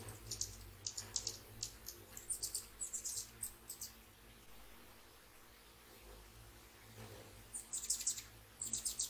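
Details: Hummingbirds feeding at sunrise, early morning: bursts of very high, squeaky chirps in rapid clusters near the start and again toward the end, with a quiet gap between and a low steady hum of running water beneath.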